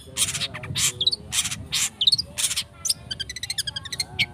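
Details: Long-tailed shrike lure recording meant to provoke singing: harsh, broadband rasping bursts alternate with short high chirps and quick twittering notes, delivered in rapid, uneven succession over faint low tonal hum.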